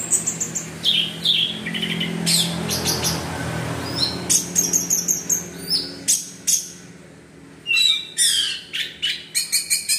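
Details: Orange-headed thrush singing in the rapid 'gacor teler' style used to prompt other thrushes into song: high, varied whistles and buzzy chattering phrases in quick bursts, with a low hum underneath.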